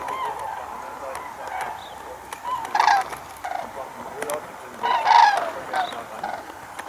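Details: Common cranes near Diepholz, Germany, on 4 November 2015 give loud, trumpeting bugles in bursts, with a busy chorus of calls behind and people talking quietly.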